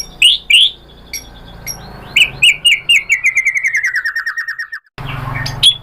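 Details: White-rumped shama song used as a lure to get other shamas singing: two loud whistled notes, then a rapid run of about fifteen repeated notes gently descending in pitch, followed by a rumbling noise and a final high note.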